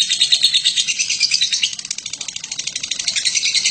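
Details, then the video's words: Ngekek chatter of a lovebird named Batman, a long master recording for teaching other birds: dense, scratchy high-pitched chattering pulses running nonstop at roughly three per second, slightly quieter in the second half. "Burung Lovebird BATMAN ngekek PANJANG cocok untuk MASTERAN"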